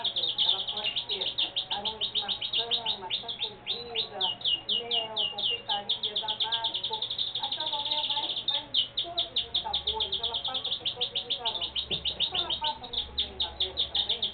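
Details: Saffron finch singing: a fast, dense run of sharp, high chirped notes repeated almost without pause, briefly easing near the middle before resuming, over a faint low background murmur.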